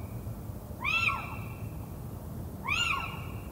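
Little owl giving two sharp, mewing 'kiew' calls that rise and fall, about two seconds apart, over a steady high-pitched hum and low rumble.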